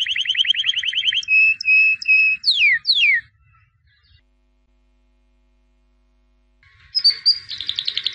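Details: Albino white canary singing a quick trill, three short held whistles and two descending sweeps, then a silent pause before a rapid trill resumes.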